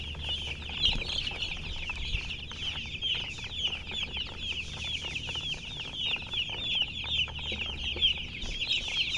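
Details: Shrill chirping from a crowd of colour chickens: rapid, overlapping high peeps with occasional louder bursts, continuous throughout, over a soft low drone.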